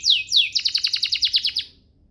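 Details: Canary master song for song training: two sharp descending sweeps, then a tight series of about ten quick repeated notes that fades out.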